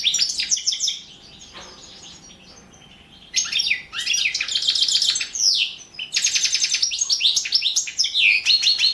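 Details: Entry in the 2017 world championship of European goldfinch song: loud bursts of fast liquid twitters and buzzy rattles, broken by a quiet two-second pause, then more rapid trilled phrases and tinkling notes.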